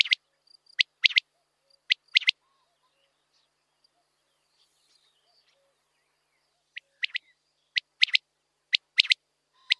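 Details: Common quail giving short, sharp notes grouped in quick pairs and triplets. A lively run of calls opens the recording, then comes a quiet pause, then another steady series. The background is otherwise quiet.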